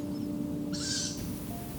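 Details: At least three young Tawny Owl chicks (owlets) calling loudly at night beside a forest track in spring: a single harsh, hissing screech of about half a second, high and breathy, over a soft, steady musical drone.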